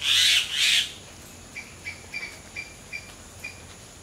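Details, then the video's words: Common myna in varied song: two loud, harsh, buzzy squawks at the start, then a string of faint, short, chirped notes repeated unevenly, with steady background hiss. "Common Myna Singing Non-Stop in Beautiful Melodies"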